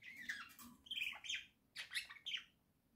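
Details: Pet budgerigars in a home flock, October 2024, sing indoors in bright, squeaky warbled phrases, with chirps rising and falling in quick succession, about five clusters in three seconds.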